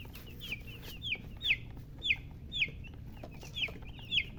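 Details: Chicken chicks chirping: high, quick downward-sweeping peeps repeated roughly every half second, fairly soft over a low background murmur.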